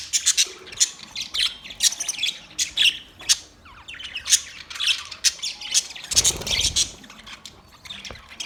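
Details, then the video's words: A steady run of sharp budgerigar chirps and squeaky squawks, rapid and uneven, keeping up for the whole stretch with a low rumble partway through. "Budgies chirping sound"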